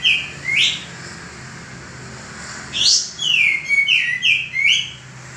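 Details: Male common iora, a bird used for training cage birds, giving two short upslurred whistles, then a rising note followed by a run of five quick falling whistled phrases.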